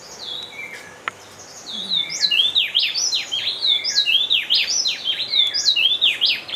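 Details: At Bioparque Bonita Farm, Dosquebradas, Risaralda, Colombia, a Speckle-breasted wren (Pheugopedius sclateri) sings. After a quiet start with faint chirps, rapid, high, clear whistled notes swoop up and down and tumble into a dense run of phrases.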